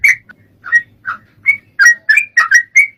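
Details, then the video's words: Sooty-headed bulbul song, played to prompt a caged bird to start singing: bright, liquid whistled phrases of short bubbly notes, several per second, each slightly rising or falling, with faint low rumble behind. "PANCINGAN TRUCUK BIAR CEPAT ROPEL-BUNYI"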